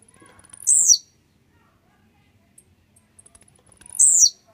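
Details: Grumpy, warmed-up blue-black grassquit giving two brief, shrill, buzzing notes that slide down in pitch, separated by about three seconds of near-silence with a few faint clicks.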